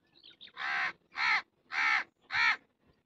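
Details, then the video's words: Indian crow cawing: four harsh, hoarse caws with a rich buzzy tone, each about a third of a second, spaced roughly every half second, preceded by a few faint thin chirps. "Indian Crow cawing kauwa crying ro raha"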